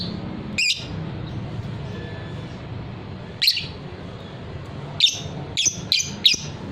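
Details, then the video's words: Fighter lovebird, recorded as training material for singing birds: one sharp high chirp, a long pause, then a short cluster of four quick piercing chirps, with a constant low background hum. "suara lovebird paud figter"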